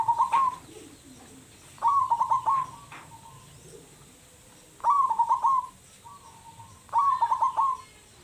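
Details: Zebra dove of a local strain, described as loud-voiced; four rolling, stuttering coo phrases of several quick notes each, repeated every two to three seconds, with steady high hiss behind.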